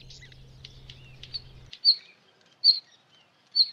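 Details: Northern wheatear giving faint scratchy notes, then three loud, short, high whistled notes spaced under a second apart; a low steady hum runs under the first half.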